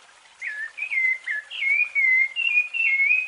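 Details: Rufous-bellied thrush, a fluted song style used for training young birds: clear whistled phrases near one pitch, each dipping or sliding downward, given in a loose run of about eight notes with brief gaps.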